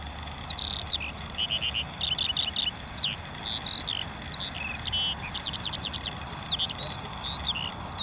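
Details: Lark singing a continuous high warbling stream of rapid chirps, slurred whistles and trills over steady low background rumble and insect-like hiss.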